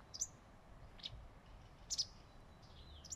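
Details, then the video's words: High, clipped chirps from a wagtail sitting on a branch under shading leaves, given singly and in a quick double at irregular intervals, with a faint thin whistle between and soft ambient hiss. "The wagtail is talking"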